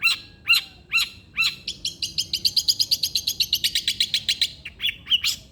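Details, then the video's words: Long-tailed shrike in vigorous song, for stirring a lazy shrike to sing: separate downward-sweeping notes give way to a fast, rising and falling run of sharp chirps, ending in scattered whistled notes. "irama KICAU CENDET gacor"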